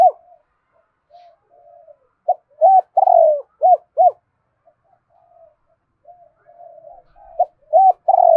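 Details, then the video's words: Spotted dove cooing: soft low murmured notes alternate with clear, loud arched coos in quick clusters of three or four, repeated in two phrases; otherwise silent background. "tieng cu gay kich boi nhanh noi"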